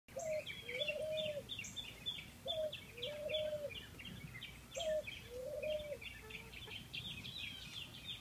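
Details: Ringneck dove calling: three repeated phrases, each a short note followed by a longer, level, rolling coo, about every two seconds, with small birds chirping and twittering steadily in the background.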